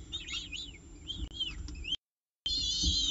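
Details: Short bout from a peregrine falcon at the CSU Orange nest with breakfast, October 2018: quick wavering squeals, a brief silence, then a dense high whine.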